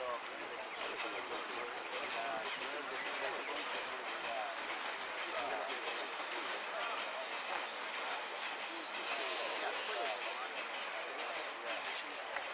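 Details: During a Lanús 'repique' singing contest, a goldfinch pours out rapid high descending notes for about five seconds, then crowd noise and talking dominate, with a couple of notes returning at the end.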